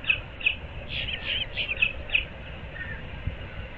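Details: Osprey pair at their nest in Moorings Park, Naples, Florida, early morning on 15 April 2024, in their fifth nesting year: a quick series of about eight sharp, high chirped whistles over two seconds, then a fainter note, over a low rumble.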